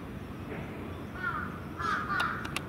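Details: Crows at their evening roost on Venus Terrace: a drawn-out hoarse caw, then a louder double caw, with a few sharp clicks and wind in the background.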